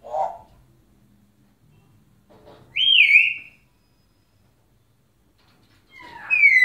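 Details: African grey parrot, a caged bird in Egypt known for a deep man-like talking voice, gives a short low hoarse sound, then a loud wavering whistle, then rising whistled notes after a pause, in a quiet room.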